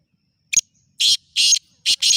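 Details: Black francolin, Shidi type, in loud calling: a brief scratchy opening note, then a series of four coarse, grating bursts in quick rhythm, the last two nearly joined. The background is otherwise silent.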